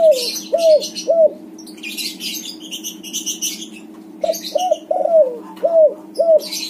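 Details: Spotted dove of a white colour form cooing, meant to coax quiet doves into song: quick runs of soft, hooked coos, three then five in a row, with a steady low hum and brief rustling noises.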